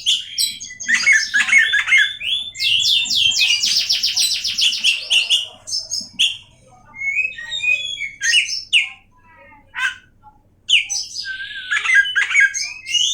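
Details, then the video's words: Oriental magpie-robin (kacer) in full song, described as able to rile other kacer: dense runs of rapid buzzy trills and sweeping whistled notes, a loud rattling burst in the middle, a short pause, then renewed chattering phrases. "awas Kacer nya jebol emosi dengar suara Kacer ini"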